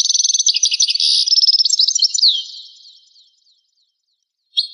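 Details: Goldfinch song from a 1985 recording: a rapid string of repeated buzzy-tinkling notes running into sweeping whistles and a falling slur, fading to silence before a brief final chirp.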